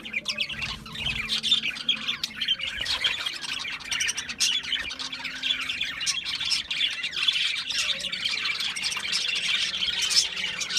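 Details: Several budgerigars chatter together in a dense, continuous warble of high, scratchy chirps and twitters. Brief squawks stand out over a steady flock-like babble that never pauses.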